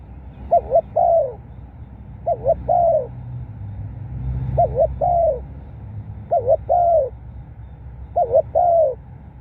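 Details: Spotted dove cooing, played as a decoy to draw wild birds: five phrases roughly two seconds apart, each a quick doubled note then a longer, lower, slightly falling coo, over a soft low rumble.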